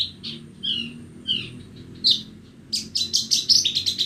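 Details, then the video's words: Bornean Horsfield's bush lark singing on a bright morning, varied whistled and slurred notes at first, then a rapid burst of harsh, buzzy chirps. "Pagi yang cerah sambil mendengarkan burung branjangan borneo bernyanyi"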